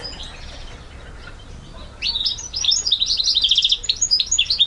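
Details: Goldfinch mule, recorded February 2011: after two quiet seconds, a lively burst of high twittering and chirping notes with quick trills, loud and varied.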